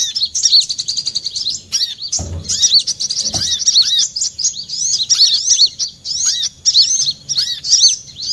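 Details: Olive-backed sunbird, lure recording for trapping: long stream of very high, rapid tweets and looping whistled notes, at times overlapping like several callers, with two brief low thuds.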